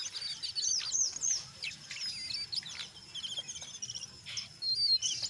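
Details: Jongkangan coklat chattering in ngeriwik and ngeplong style, a lure to make other jongkangan sing: a jumble of high squeaky whistles, quick trills and short rasping notes, with a louder burst of squeaks near the end.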